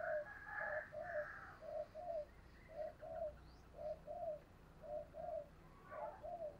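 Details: Spotted dove cooing in 'giọng thổ' voice as a lure for wild doves, heard faint and distant: paired low coos repeated about once a second over a hissy background with higher chirps from other birds.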